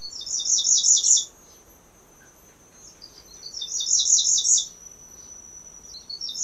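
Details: Grey-breasted Prinia singing from a garden in Phetchabun, Thailand, likely from a high open perch: two bursts of thin, very high notes, rapidly repeated for about a second each, over a steady high insect whine.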